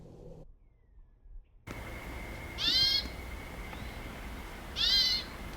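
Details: A Hermit Thrush perched in a bush by a parking lot at Santa Barbara Botanical Garden, California, in October 2024, repeatedly gives its whiny, mewing alarm call, two rising-then-falling notes two seconds apart, over faint hum and rustle; the cause is unknown.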